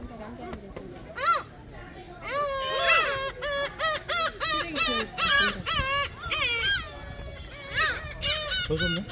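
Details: A noisy flock of gulls at Sinjindo, Seosan, South Korea, gives overlapping harsh, arched yelping calls in rapid bursts, several per second. Faint human voices are heard beneath.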